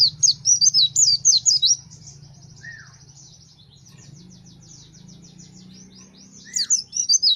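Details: Fighter pleci white-eye singing gacor, shooting song: bursts of high, rapid, twisting whistled notes at the start and end, with a softer trill between, over a steady low hum.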